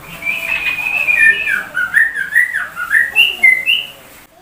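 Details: Sooty-headed bulbul with white-rumped shama imitation, opening with a drawn-out wavering whistle that flows into a string of rising and falling whistled notes, growing louder before stopping.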